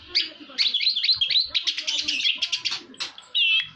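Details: Orange-headed thrush delivering a fast jumble of high chirps, trills and clipped notes, dense and scratchy, ending in a sustained warbled whistle.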